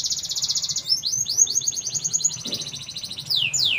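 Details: Canary in full song, opening with a fast buzzy trill, then quick repeated falling notes in rolling sequences, ending with a few loud downward sweeps; constant high-pitched energy throughout.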